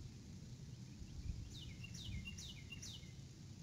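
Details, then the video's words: Female eagle at her nest on an April evening, calling out before she leaves. A run of four or five sharp, downslurred squeaky notes, spaced roughly evenly, rises out of a constant low rumble of wind. "Female comes to the nest calling out she leaves."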